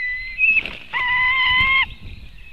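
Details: White-tailed eagle at a nest in Latvia, 2018 webcam: a single held, level piping note close to a second long with strong overtones, between a fainter high whine and soft rustling.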